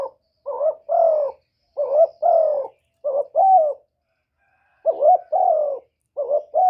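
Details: Lively spotted dove cooing meant to lure wild doves: five throaty two-note coo phrases in quick succession, each a short rising burr and a fuller falling coo, with a brief pause mid-sequence.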